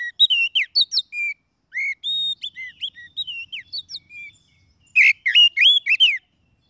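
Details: Oriental magpie-robin (kacer) lure song for trapping wild birds or prompting quiet birds to sing: loud, clear whistled phrases of varied rising and falling notes, sharp chips between, a pause, then a burst of rich slurred whistles.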